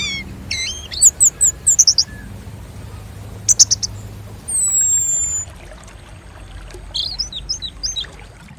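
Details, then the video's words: Varied high-pitched orange-headed thrush song, meant to spur birds into singing: bursts of rapid repeated chirps, a sharp trill, a long sliding whistle, then scattered squeaky notes, over quiet background hiss. "Suara Mistik Bikin ANIS MERAH Bunyi"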